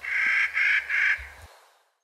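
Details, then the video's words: Clark's nutcracker gives three harsh, grating, crow-like caws in quick succession, each about half a second long, then falls silent. "Bird call: “XC629536, Clark's Nutcracker, Nucifraga columbiana”"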